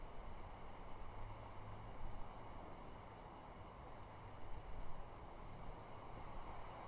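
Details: Only a steady low hiss and faint rumbling are heard, with no calls from the hobby nest.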